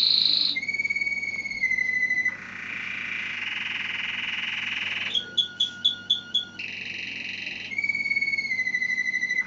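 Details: Malinois-style song from a gloster cross canary: long flat whistled notes held for a second or more, changing pitch in steps, broken midway by a short run of quick pulsed notes before the steady tones return.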